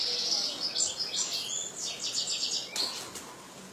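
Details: European goldfinch raised in captivity by a bird keeper, pouring out quick high chirps and tinkling notes that merge into a buzzy trill, ending with a sharp burst.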